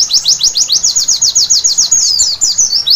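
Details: Night-time white-eye song, a rapid series of thin, high, slurred notes repeated several times a second, turning into a more tangled, twittering phrase near the end, with no other clear sounds.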